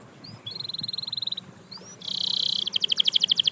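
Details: Canary song said to inspire other canaries to sing again: a rising whistle, a steady high buzzy trill, then a broad harsh note and a fast run of bright pulsed notes about ten per second, over faint low background hum.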